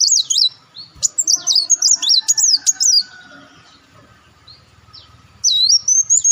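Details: Olive-backed sunbird call used to draw in birds: rapid high, wavering whistled notes in a fast series, a quieter gap with faint low hum, then another bright burst.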